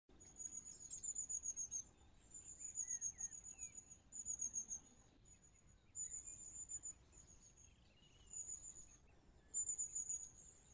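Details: Long-tailed tit giving its contact call, which keeps a moving flock in touch: very high, thin, buzzy trills about a second long, repeated every second or two, with soft lower twitters between.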